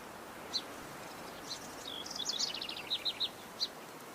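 A Yellow-rumped Warbler gives a brief, high, loose twittering warble lasting about a second, framed by a few thin, sharp chips over soft background hiss.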